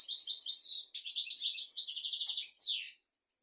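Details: European goldfinch on a tutor recording for teaching young goldfinches and canaries, delivering a nearly three-second unbroken stream of fast, high, liquid twittering and trills that ends in a sharp downward-sweeping note.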